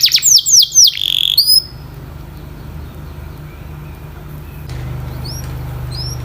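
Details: Canary singing a brief burst of bright, high rolling trills and rising whistles for under two seconds, then near silence with a low hum and a few faint upward chips near the end.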